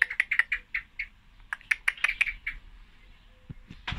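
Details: Quick, chattering chirps from a female common blackbird, about a dozen notes over two and a half seconds, followed by quiet and a few low knocks at the end.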